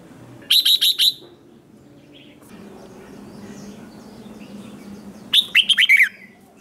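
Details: Competition song of a red-whiskered bulbul, meant to stir newly caught birds into singing back: a short run of four or five rapid high notes, a long pause with low rumbling noise, then another brisk cluster of sharp chirps.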